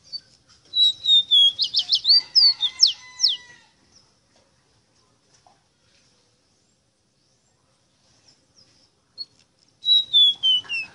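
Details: Ruddy-breasted seedeater singing, a tutor song used to teach captive birds: bursts of rapid whistled slurred notes, a dense trilled phrase, a pause of several seconds, then another descending whistled series.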